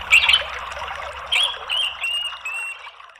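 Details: Orange-headed thrush in a lure recording meant to prompt a reluctant bird to answer with twittering and clear ringing notes. High whistled notes and short slurred phrases sit over a steady trickling, water-like hiss.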